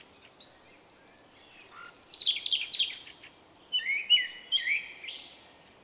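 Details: Shy male common blackbird singing its distinctive individual 'vuippi vuippi vuuu' song in late March 2024; a rapid high descending twitter leads into clear fluted notes with rising and falling whistles at the end.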